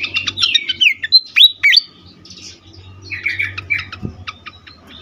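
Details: Excited fantail: rapid tumbling chips, then two strong swooping whistles, a quieter pause, and another cluster of buzzy chattering notes, with a single dull knock near the end.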